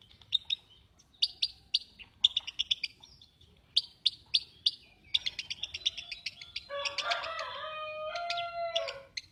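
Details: Lovebird sounding off with clusters of harsh high chirps, turning into continuous busy chatter with some sustained, squeaky tonal notes near the end.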